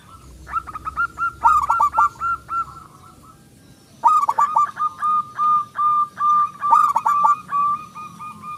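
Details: Local zebra dove with a big voice, kept as a lure to get other doves singing: two phrases of pulsing cooing notes, first ragged, then a steady run of about ten clear notes.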